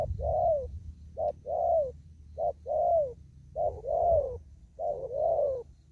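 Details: Spotted dove out in an upland field, cooing in the style called đồng thúc gù: steady three-part coos, a short note then a longer swelling, falling coo, repeated about every 1.2 seconds, with low background rumble.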